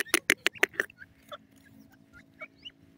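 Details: Francolin (teetar) calling with a quick run of five loud, harsh, broadband notes in the first second, then fainter scattered chirps and clicks against a low steady hum.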